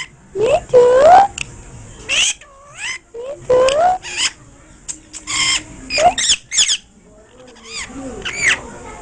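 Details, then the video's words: Parrot talking in Hindi in India: bursts of short, speech-like squawky syllables with rising and falling tones, some sharp high notes, separated by brief pauses. "parrot talking in hindi in india"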